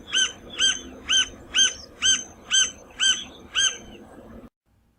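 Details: Green-barred Woodpecker, a Brazilian Cerrado bird: a clear series of eight loud, ringing, slightly downslurred notes, evenly spaced about every half second, then silence.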